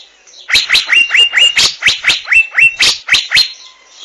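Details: Asian fairy-bluebird producing a dozen fast, upward-sweeping whistled notes in about three seconds, several held briefly on a level high pitch.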